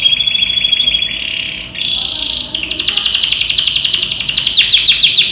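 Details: A male yellow canary about 10 months old, in breeding condition, sings a bright, high run of rapid trills, shifting into fast rolling tours of repeated notes near the top of its range.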